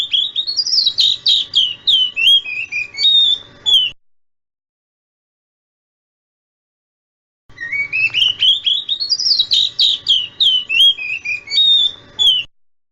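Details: Oriental magpie-robin lure song meant to get young magpie-robins calling back: a rapid string of bright whistled and chattering notes, sweeping down in pitch, repeated twice with a silent pause between.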